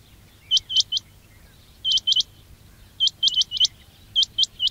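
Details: Quail (batair) calling, recorded to lure birds for trapping: bright upward-flicking chirps in tight groups of three or four, separated by roughly one-second gaps, over faint low hum.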